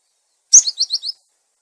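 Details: Cinereous tit with a clear voice, recorded as a bird lure: a single brief phrase of one sharp note followed by four quick, high, down-slurred chirps.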